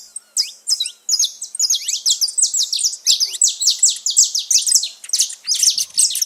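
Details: Wild saffron finches gathered freely in nature: loud, rapid series of sharp, high chirps from several birds, tightly overlapping into a continuous bright chatter with brief pauses.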